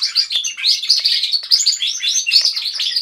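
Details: Group of pet canaries singing together in a house, a continuous bright warble of rapid trills and chirps overlapping without pause.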